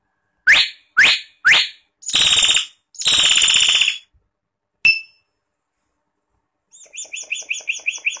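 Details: Song of the common hill myna, Gracula religiosa: three sharp rising notes about half a second apart, two long grating screeches, a short clear ping, then a fast rhythmic run of pulsed whistled notes.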